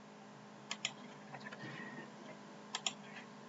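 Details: Keyboard typing and mouse clicks in a small indoor room, with scattered sharp taps over a steady low hum. No animal is heard.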